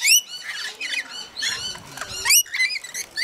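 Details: Rainbow lorikeets feeding in a frenzy at Mount Tamborine in Queensland, Australia: shrill rising squeals and scratchy chattering calls packed closely together, with one sharp loud screech near the middle.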